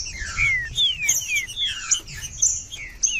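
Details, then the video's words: Green-winged saltator in song, meant for warming up a cold bird: a few loud downward-sliding whistles, each under half a second, alternating with sharp high chirps, low hum beneath. "ESQUENTAR TRINCA FERRO FRIO / TRINCAFERRO/TRINCA-FERRO CANTANDO FRIO TRINCAFERRO"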